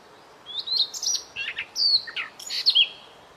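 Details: Varied song of a white-rumped shama, masteran style: clear whistled phrases alternating with harsh chattering notes and rising slurs, delivered in quick succession over light hiss.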